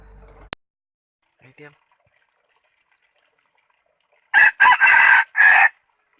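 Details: A rooster, one of two said to crow very well, gives a single loud, harsh crow near the end: four rapid bursts, the third drawn out longest. Before it the recording is quiet apart from a brief faint voice-like sound.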